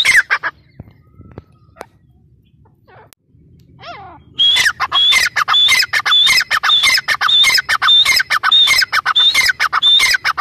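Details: After a few quiet seconds with faint clicks, a grey francolin (teetar) starts a loud, steady series of piercing, ringing phrases, repeated about twice per second until the end.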